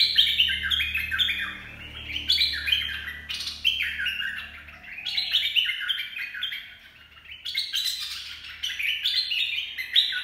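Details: Lively bulbul song in the 'dok taeng' style, meant for training young birds and for luring. Whistled, chattering phrases repeat in waves, with faint low rumbling noise in the first half.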